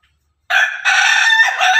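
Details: Crowing from Pelung and Ketawa chickens kept together: a sudden, loud, sustained crow with a full, bright tone and a step up in strength partway through. It keeps going to the very end.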